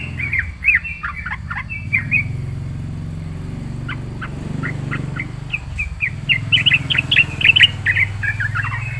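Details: Yellow-vented bulbul with a full 'isian' song: clusters of chirps, a short lull, then a lively run of quick notes, all over a low rumbling background.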